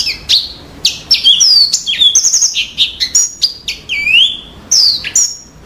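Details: Yellow-fronted canary giving a fast, twittering song of clear high whistles, chips and upswept slurs. Phrases come in quick succession with brief gaps between them.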